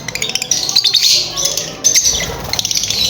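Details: Lovebirds chirping during mating: loud, shrill, high chirps and squeaky chatter come in quick uneven bursts, several birds overlapping.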